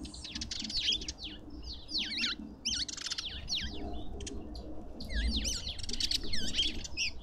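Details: Lovebirds at a feeder in a South African suburban garden in Pretoria chatter continuously with high, curling, squeaky notes overlapping in quick succession, over a low background rumble.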